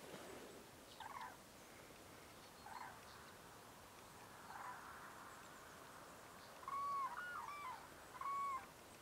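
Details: A common buzzard in Russia gives drawn-out, slightly downslurred mewing cries, faint at first, then two loud ones near the end about a second and a half apart.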